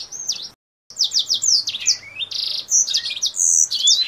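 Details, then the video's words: Singing Kingthroat, wings opened, song resembling a blackthroat's: a dense run of high chirps, rapid buzzy trills and falling whistled slides after a momentary silent break. "KINGTHROAT GACOR Atas Bawah BUKA SAYAP || Mirip Suara BlackThroat"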